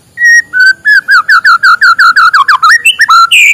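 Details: White-rumped shama singing in the morning, used to prompt reluctant shamas to sing: a held whistle, then a rapid run of about a dozen repeated slurred whistled notes dipping lower, ending in a rising high note; loud and somewhat distorted.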